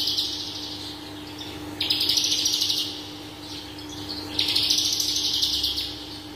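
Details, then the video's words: Horsfield's bush lark (Mirafra javanica) in full song: bursts of rapid, high, chattering notes a second or two long, separated by quieter passages over a steady low hum; used as a training master recording. "BRANJANGAN parva gacor dor full isian"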